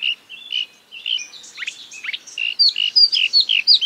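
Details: Marsh warbler (Acrocephalus palustris) copying other species, with clear piping whistles mixed with twangy downslurs and quick chirps in a lively, varied sequence.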